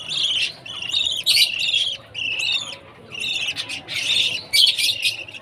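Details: Young budgie chirping at feeding time: a busy run of scratchy, buzzy high chirps in clustered bursts, some overlapping, with brief gaps between groups.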